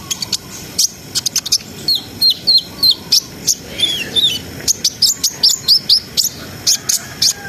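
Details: [5, 'Brown-throated sunbird in a gacor ngriwik, ngerol and nembak song used to raise breeding arousal. Sharp high ticks, then a run of short descending whistled slurs, then dense rapid chirping.']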